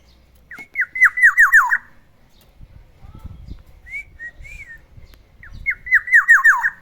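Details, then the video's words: In the morning, a pet black-naped oriole in a cage gives two bursts of rapid, falling, fluty notes, five or six per burst, with a few soft rising-falling whistles and faint low rumbling between them. "OCEHAN BURUNG KEPODANG DI PAGI HARI, SUARANYA BIKIN ADEM"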